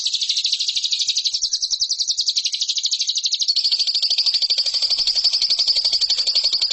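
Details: Lovebird song aimed at training competition birds: a fast, shrill chattering trill that smooths into a steady, thinner, high continuous trill in the second half.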